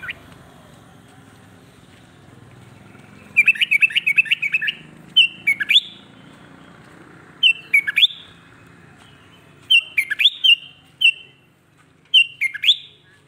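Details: Sooty-headed bulbul song meant to provoke other bulbuls into agitation: after a quiet start, bubbly, fluty phrases of quick descending notes come in bursts roughly every two seconds, five or six phrases in all, with a low background hum.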